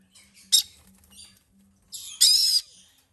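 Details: White-bellied caique chicks being hand-fed give harsh, raspy, hissing screeches in two bursts, a short one and a longer one, over a faint low hum.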